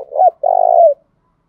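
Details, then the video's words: Spotted dove giving 'cu thúc gù' style cooing, used for voice training: a short throaty double note, then a longer, even, purring coo that slides down at the end, low and mellow, in quiet surroundings. "Tiếng cu thúc gù hay, Luyên giọng cu gáy mỗi ngày"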